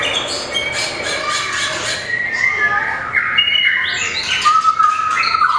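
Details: White-rumped shama singing competitively with tail-flicking, hopping along the perch: fast twittering start, then loud rising and falling whistles ending on a long steady whistled note.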